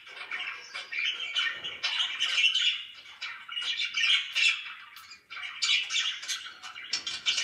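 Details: Pet budgerigars chirping loudly indoors, a dense stream of buzzy warbles and squawks in irregular bursts, pausing briefly near the five-second mark before resuming.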